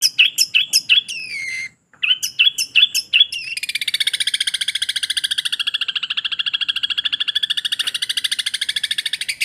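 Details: Long-tailed shrike in lively song with mimicked material: quick, varied, sharply falling whistled phrases, a brief pause, then a long, fast, even rattling trill of buzzy notes.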